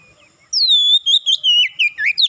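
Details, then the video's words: Oriental magpie-robin singing fast: a long clear whistle sliding down, then a quick series of varied whistled notes and rising slurs. "Kacer macet bunyi cepat gacor"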